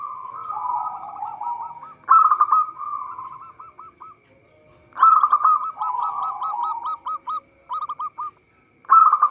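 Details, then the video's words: Local zebra dove in full song, suited as a trapping lure: repeated phrases of rapid rolling notes trailing into short hooked staccato coos, three separate bouts with brief quiet gaps between them. "Perkutut lokal gacor suara cocok untuk pancingan."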